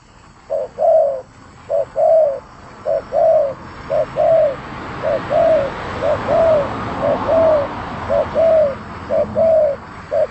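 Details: Spotted dove singing actively, giving a steady series of phrases, each a short coo and a longer coo, about once a second, over a soft hissing background.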